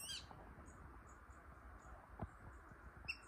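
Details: A water rail at the Rottige Meente, Netherlands, gives a harsh squealing note at the start and another near the end, with faint high squeaks between over a low background rumble.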